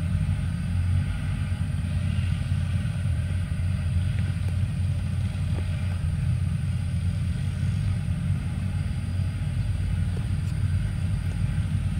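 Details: Steady low rumble of a vehicle engine idling throughout, with no animal sound.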